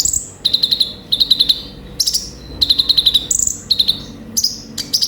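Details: Olive-backed sunbird (konin) singing energetically with full varied fill, used to coax other birds to sing: very high rapid trilled bursts alternating with thin piercing whistles, short phrases every second or so.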